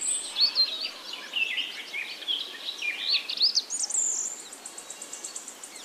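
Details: Jungle babblers fighting, giving a rapid tangle of harsh, squeaky chattering notes that rise and fall, ending in a string of evenly spaced high chirps.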